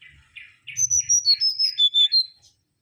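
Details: Mangrove whistler, an insect-eating bird of coastal and mangrove forest, delivering a sequence of about eight pure whistled notes falling stepwise in pitch, preceded by a few softer lower twittering notes.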